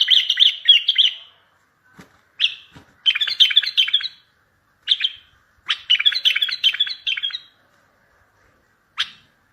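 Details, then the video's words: Strong bulbul song used to draw distant bulbuls to answer and for trapping: repeated bursts of fast, bright chattering notes separated by short pauses, with a few soft clicks and a single sharp note near the end. "اصوات بلابل تغريد بلبل قوي ينطق الاخرس كذلك للصيد البلابل الاخرى يجيب البلابل البعيده"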